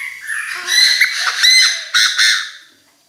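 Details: Decoy Chinese francolin crowing intensely to call its flock: a loud, harsh, ringing series of about five rasping notes, the last two separated by a short pause, with faint whistles underneath.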